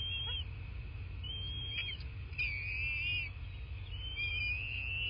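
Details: Bald eagle nest in southwest Florida on nest camera, 8 March 2024 at 11:00: thin high whistles and upslurred squeals repeated several times, set against strong broad background noise and rumble.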